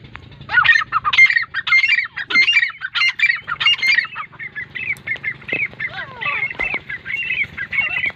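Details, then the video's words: Grey francolin, known locally as teetar, from Pakistan: a fast series of harsh, ringing notes repeated about one and a half times a second, loudest at the start and then continuing as softer, even notes. "Gray francolin Sound | Teetar Ki Awaz | Dakhni Teetar ki awaz"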